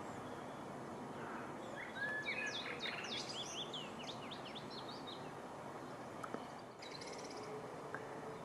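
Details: A mixed singer on 16 June 2015, looking more Willow Warbler than Chiffchaff: a soft, descending Willow Warbler phrase of sweet slurred notes, starting with Chiffchaff notes, over a steady roar of background noise.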